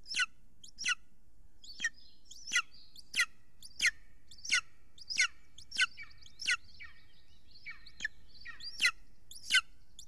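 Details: Golden eagle at a nest in Estonia, filmed by a live nest camera at 6:53 pm on 3 June 2020 as an adult brings a huge prey. Sharp, high, descending yelping chirps repeat roughly every half to one second.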